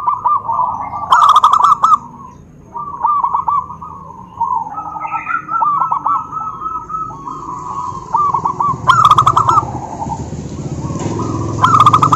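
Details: Zebra dove calling to stir other doves to respond, giving repeated bursts of fast rolling coos and trilled notes with short pauses and a low background rumble.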